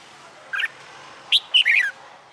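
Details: Caged red-whiskered bulbul, a wild-caught bird a month into cage life and trained for fighting song. One short chirp is followed by a quick run of clear, warbled whistles, with quiet gaps between them.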